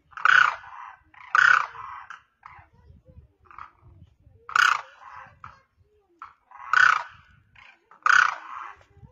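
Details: Grounded demoiselle crane calling up to other birds in flight, producing a series of loud, harsh, rolling krrr-like calls roughly every one to two seconds, softer notes in between.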